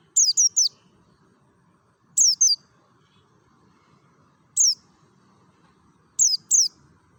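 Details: A mountain white-eye of the Merapi variety delivers ngalas song: sharp, shrill falling whistles, a rapid triple, then single and paired notes spaced by gaps of one to two seconds over quiet low noise.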